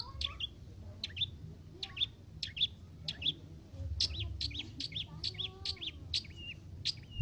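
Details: Young untrained long-tailed shrike (cendet) from Lampung singing: sharp, high chirps repeated about every half second, quickening into a dense run of chattering notes, over low background rumble and faint voices.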